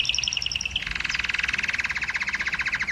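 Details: ['Canary song aimed at exciting females to mate: a short series of clear repeated whistled notes, then a fast pulsing rolling trill that continues steadily to the end.']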